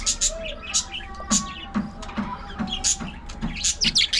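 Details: Budgerigars in an aviary colony chirp in short high tweets and sharp squeaks scattered across the clip, with faint soft thuds underneath.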